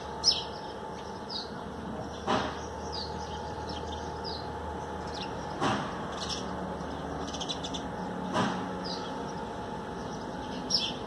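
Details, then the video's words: Garden recording, 13 April 2020, of a Common Tailorbird bathing on wet trees after the plants were watered and shaking its feathers. Quick high chirps come in scattered series between several loud knocks, over a steady hum. "Tailor Bird song and bath"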